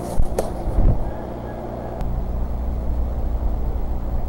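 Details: Steady low rumbling, like wind or traffic, with a couple of faint knocks and no animal calls.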